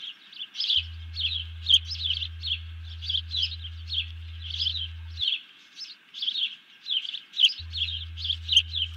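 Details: Bald eagle giving alert calls after grabbing a fish, its mate ducking down, recorded July 31, 2020: rapid series of high, chirping notes, repeated almost continuously over a steady low hum.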